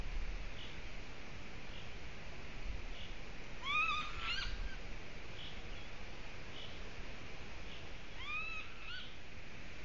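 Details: Golden eagle at its nest in Latvia, bringing another twig as nest material; two thin, upslurred whistled yelps with harmonics, spaced about four seconds apart, over steady broadband background hiss.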